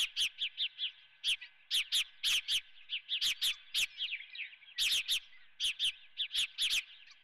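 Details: Repeated shrill chirps from an osprey at the Dunrovin nest as live golden fish is brought for breakfast, dense runs of sharp notes for seven seconds over a steady hum.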